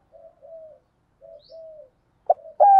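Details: Decoy spotted dove luring wild doves: soft, drawn-out low coos heard first, then louder, abrupt coo notes close by at the end.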